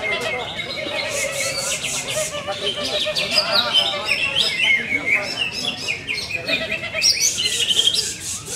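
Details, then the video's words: A much-awarded greater green leafbird kept for sale sings a dense, high twittering stream of quick chirps, trills and sweeping whistles with hardly a pause, over a low background murmur. "CUCAK IJO MEWAH PRESTASI BANYAK"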